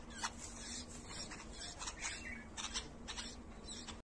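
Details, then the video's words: Red-vented bulbul chicks being fed by their mother give short, harsh, hissing begging notes in quick, irregular bursts, over a faint, low, steady hum. "Red vented Bulbul babies taking food from mother"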